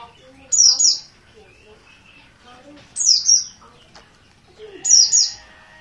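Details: Untrained oriental white-eye of the dakun Merapi kind with an insistent call: bright paired downslurred notes about every two seconds over quiet, faint low chatter.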